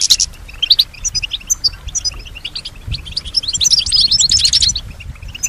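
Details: Kept European goldfinch described as answering and imitating nearby sounds like other birds, whispers or voices; bright, high tinkling twitters in short bursts, building to a fast, thick jumble of notes near the end.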